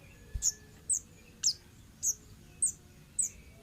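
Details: An orange-headed thrush from the forest, recorded as lure material. Shrill, piercing chirps repeat evenly, about every half second, each a brief high squeak, with faint background hiss.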